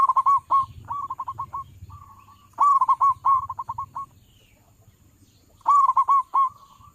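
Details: Local Indonesian zebra dove (perkutut lokal) giving a loud lure call used by bird trappers: bursts of rapid, rolling coos near one pitch, each phrase ending in a few separate notes, repeated about every three seconds.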